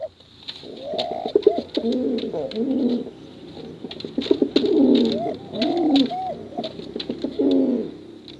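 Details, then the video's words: Male and female contest pigeons produce a steady run of deep, rolling coos with occasional upslurred tonal notes, accompanied by frequent sharp clicking ticks. "Suara Bekuran Burung Merpati Lomba Hutan Dara"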